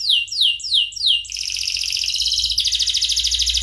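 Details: Canary song used as a training recording for teaching other birds: four loud descending whistled sweeps, then fast high buzzy trills that shift into a brighter rattling trill.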